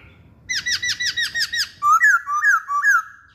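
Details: Masked laughingthrush gives a rapid sequence of seven strongly harmonic, down-curving notes, then a loud run of rising, looping whistles, all clear against a quiet background.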